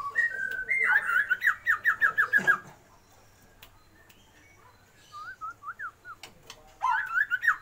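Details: Calling female Oriental magpie-robin, aimed at raising a male's breeding drive: a rapid series of short whistled notes, a pause, softer twisting whistles, then another burst, over a low steady hum.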